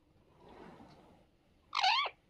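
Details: Indian ringneck parrot giving a single loud, harsh screech lasting about a third of a second, after a faint murmur of background noise.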